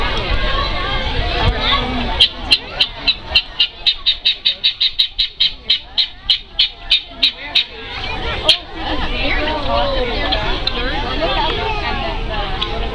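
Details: Guineafowl at Columbus Zoo's Heart of Africa exhibit, 10 July 2014, give a harsh rattling run of clipped notes that speeds up then slows over about six seconds. Giraffes walk nearby and people talk.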